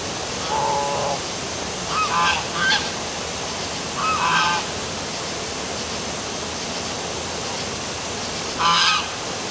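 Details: Geese honking in near darkness beside the downtown waterfall at City Hall in Milford, Connecticut, with short nasal honks in scattered bursts over a constant rushing roar of falling water.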